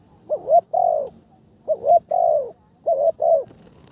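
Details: Decoy spotted dove in training, third session, calling in karom style: three phrases, each a short rising coo followed by a longer drawn-out falling coo, repeated about every 1.3 seconds over a low steady hum.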